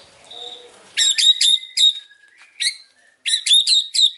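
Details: White-rumped shama singing in the afternoon, faint whistles giving way to clusters of loud, ringing, metallic chip notes in quick groups separated by brief pauses.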